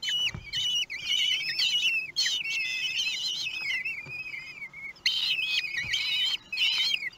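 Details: At a nest in Théding, France, 2 June 2020, a family of common kestrels at mealtime with a huge prey, recorded by webcam: loud, shrill, quavering whistles in long overlapping bursts, some sliding downward, separated by brief gaps.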